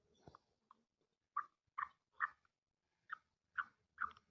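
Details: Female black francolin giving a run of short clipped call notes, several in quick succession then a brief pause before three more, with a faint low thump at the start.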